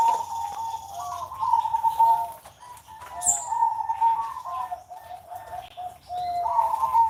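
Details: Zebra doves kept in cages on a Sunday morning give soft, rolling coos in long, wavering phrases with short pauses. A thin high chirp from another bird cuts in once.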